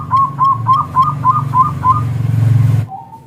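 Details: Local zebra dove cooing as a lure recording to draw answers from other zebra doves: about seven soft, rolling coos repeated quickly over two seconds, over a steady low rumbling hum.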